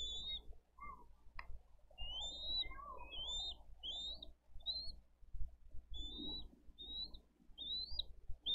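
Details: Bald eagle nest in Dade County on 22 April 2023, with the parents bringing in fish and feeding two eaglets. A steady string of short, high, upslurred whistles, one after another, over rustling and low hum.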